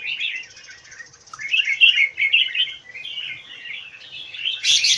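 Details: Caged red-whiskered bulbul in Thailand delivering a continuous stream of liquid, warbling notes over five seconds, with a steady faint high buzz early on and a sharp rattling burst at the end.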